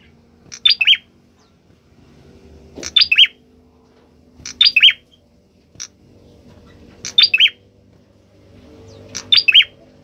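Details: Orange-headed thrush singing actively, with six short bursts of sharp high whistled notes, mostly three to four notes each, every one to two seconds, plus a lone chip.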